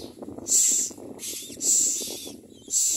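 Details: A Common myna chick that its parents are feeding gives harsh, hissing rasps in four bursts about a second apart, over a low background murmur.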